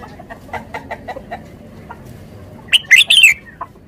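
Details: Red-whiskered bulbul singing a short bright phrase of fast whistled notes that rise then drop, following a series of soft evenly spaced clucking notes from another bird nearby.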